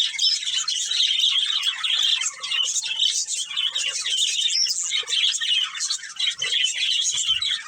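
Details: Budgerigars, a breeding pair kept as pets, chirping continuously: dense, scratchy warbling chatter with rapid twittering notes, steady and unbroken throughout with no other clear sounds.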